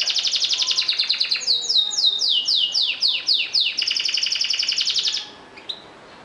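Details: Singing canaries deliver a rapid rattling trill of high notes, break into a string of falling slurred whistles, then resume the quick trill before stopping abruptly, leaving quiet background with one faint chirp.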